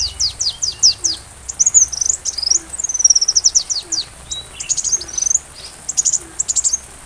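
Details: Sunbird song as tutoring audio for a white-rumped shama: varied high-pitched phrases, quick downslurred note series, wavering whistles and sputtering trills, with a faint low hum beneath.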